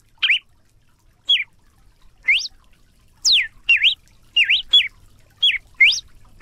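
A red-cowled cardinal sings loud, clear slurred whistles, each bending up or down, about one note per second with some quick pairs. Nothing else is heard.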